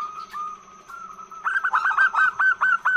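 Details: Female zebra dove calling to attract males: a soft sustained whistled tone, followed by a quick series of about eight sharp, rising-then-falling whistled notes, evenly paced.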